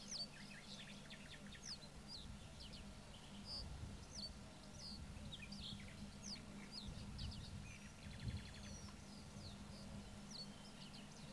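Black-winged Stilts give short, sharp high yelps scattered throughout, with a quick run of notes near the end, over a steady low rumble of wind or distant noise.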